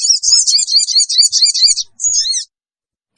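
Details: Sooty-headed bulbul lure sound for pulling wild birds in: a fast, shrill, rattling chatter of repeated buzzy notes for nearly two seconds, then a shorter screechy phrase and silence.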